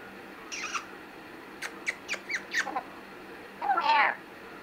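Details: A pet black-capped lory practicing saying his name: a nasal squeak, a quick run of five or six throaty syllables, then a longer, rougher, voice-like phrase.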